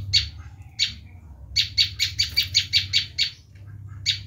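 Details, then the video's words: Bar-winged prinia screaming, for luring wild prinias: two isolated harsh notes, then a rapid burst of about nine rasping high notes, a pause, and one final note, over a low hum. "Suara asli prenjak lumut menjerit"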